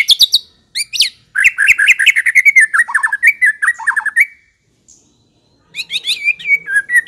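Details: Long, rapid, chattering warble from a white-rumped shama, used as a lure to make shamas answer and sing. Dense notes run continuously for about three seconds, a pause follows, and the jumbled whistling resumes.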